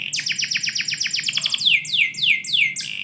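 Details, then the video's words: Indoor canary singing in the morning: a rapid train of down-slurred notes that then slows into broader, louder descending swoops, over a faint low hum. "KICAU BURUNG KENARI - DIPAGI HARI DALAM RUMAH"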